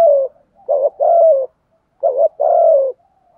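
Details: Decoy spotted dove in thổ bầu voice, used to provoke wild doves, delivering coo phrases: a short note, a double burst, and a long, slowly falling coo, repeated twice in quick succession.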